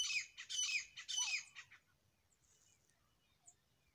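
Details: Grey francolin, said to be a pair, giving a loud run of harsh, shrill repeated notes for about a second and a half, followed by near silence with a few faint distant chirps.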